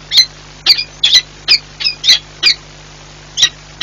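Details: Peregrine falcon pair at the nest in Płock, 4 April 2022, making many changeovers; a series of about nine short, squeaky, high chipping calls in uneven rhythm over a low steady hum.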